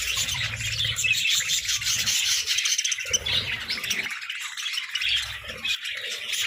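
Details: Budgies in a food fight over treats, keeping up a scratchy, warbling chatter of many high chirps that briefly thins out and returns, with low rubbing and scraping noises underneath.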